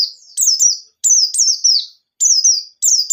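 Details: White-eye in full song, played as a lure to get other birds singing: clustered high, falling chirps in tight groups of two or three, each group about a second long with short silences between.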